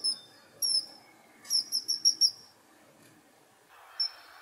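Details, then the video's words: Kingfisher calling: very high, thin piercing notes, a few single ones, then a quick series of five or six sharp whistles, with a brief rustle near the end. "Kingfisher Sound!"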